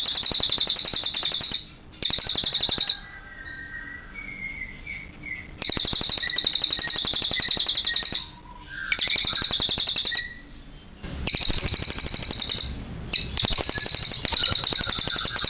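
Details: Vocal cililin repeating long, loud bursts of rapid high trilling, each a few seconds long, separated by pauses where quieter whistles and chirps are heard.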